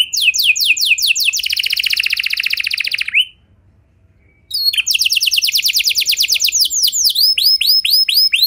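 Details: Canary singing meant to lure other canaries into song: a quick trill that blurs into a rich buzzy roll, a silent gap, then a run of descending sweeps and chirps.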